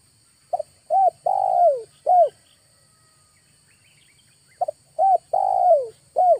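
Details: Lure spotted dove calling in August, two identical cooing phrases about four seconds apart. Each is a quick stutter, a short coo, a lengthy descending coo and a clipped end note. The setting is otherwise quiet.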